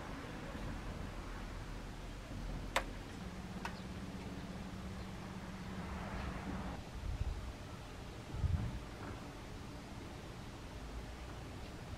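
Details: Steady background hiss with a few sharp clicks, a low motor-like hum for several seconds, and soft thumps, but no animal voices.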